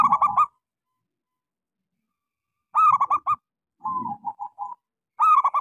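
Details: Local zebra dove singing as a lure for silent doves: repeated phrases of choppy, stuttered notes alternating with a softer, rolling, wavering coo, plus faint low rumbling beneath some phrases.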